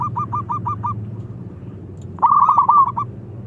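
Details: Young local zebra dove used to lure other doves: six soft, evenly spaced hooked coos, then a louder rolling trilled phrase ending in a single note, with a low droning hum underneath.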